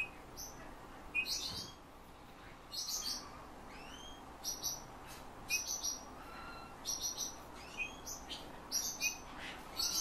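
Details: Owner-trained Eurasian bullfinch that mimics its trainer's whistle and borrows nightingale and thrush phrases, delivering a string of short chirps, curved whistled slurs and brief scratchy bursts spaced unevenly through ten seconds, with faint room hiss.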